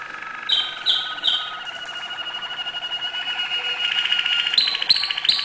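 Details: Singing Malinois canary giving acute notes: a sustained rolling trill with steady whistled overtones, punctuated by several short bright high notes near the start and end.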